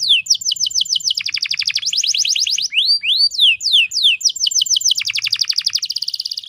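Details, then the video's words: Canary female in breeding condition, played as a lure to make males sing quickly: dense runs of rapid downslurred notes, a pair of arching whistles midway, then more fast rolling trills. "PANCINGAN KENARI BAHAN AGAR CEPAT BUNYI"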